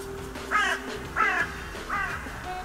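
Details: At the Steinrevier feeding site on 6 January 2022, crows give three fairly soft, hoarse caws at even spacing, partly masked by a steady low hum and background noise.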